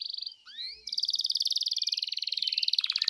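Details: Canary singing, meant to provoke another canary into answering: a brief steady trill and a few sliding whistles, then a long, very fast rattling roll that drops lower near the end.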